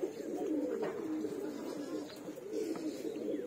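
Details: Pigeons kept as loved birds, cooing in low, soft, throaty rolls that run almost continuously through the recording, with faint background noise from a small indoor space.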